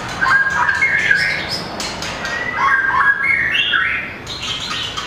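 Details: Competition singing by a mini White-rumped shama with a very long tail: quick bursts of whistled and twittering notes, rising and falling, with sharp clicks between phrases.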